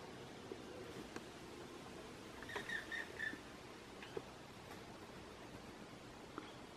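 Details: A black woodpecker (Dryocopus martius) at the bottom of a garden on 15 July 2020 gives a brief, quiet run of three or four short, shrill notes in quick succession, over soft hiss and a few faint clicks.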